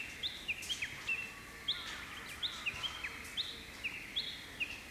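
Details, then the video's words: Japanese bush warbler singing on a May morning atop pampas grass; repeated high whistled notes with short downward flicks, quieter, over soft background hiss. "ウグイス 鳴き声"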